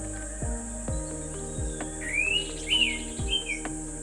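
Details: An orange-headed thrush gives a rarely recorded mimicry of an Indian pitta's call: three short, clear, rising-then-falling whistles in under two seconds, over steady background music.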